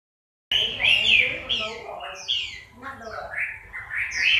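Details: Chinese hwamei in moult, recorded October 2015, singing a varied run of loud, clear whistled phrases. The notes swoop up and down and come in quick succession, with brief higher slurred notes mixed in.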